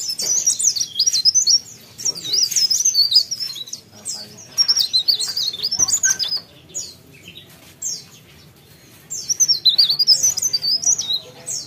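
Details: Mountain Leaf Warbler in full song, giving high, thin, rapid twittering phrases about a second or two long, separated by brief pauses.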